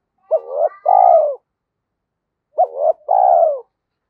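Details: Decoy spotted dove in Vietnam, caged and quick to start cooing: two phrases, each a short hooked note followed by a longer, slightly quavering coo that falls in pitch, separated by about a second of silence. Nothing else is heard.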